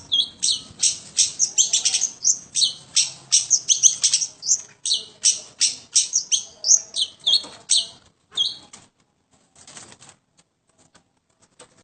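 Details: Long-tailed shrike in full 'gacor' song, ranging high and low: a fast burst of harsh, scratchy high notes at roughly three per second for about eight seconds, then thinning to a few faint chirps and near silence.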